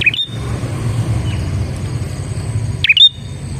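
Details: Prinia singing for a lure to draw in other prinias: two bright, quick chirps with a falling-then-rising sweep, nearly three seconds apart, above continuous low engine-like rumble.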